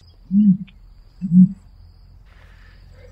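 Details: Two deep, short grunts from a common ostrich about a second apart over a quiet, low hum.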